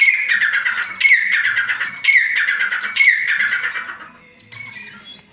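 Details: Grey francolin giving a loud, harsh repeated call, rasping phrases roughly once a second that fade toward the end, followed by a single higher squawk over faint low background noise.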